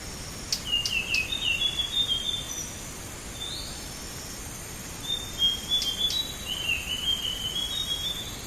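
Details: Blue whistling thrush song used as a bird-trapping lure: two thin, high warbled phrases with slurred, rising and falling notes, separated by a pause, with sharp ticking clicks and a steady faint hiss behind.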